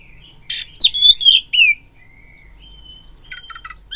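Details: Oriental magpie-robin singing to provoke rivals: a harsh burst then rapid bright whistled phrases over about a second, followed by a thin level whistle and soft clipped chips.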